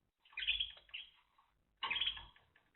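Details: Timbrado canary song in 2023: two long rolling, buzzy phrases separated by a brief gap, rich and bubbling, with some low rumbling background noise.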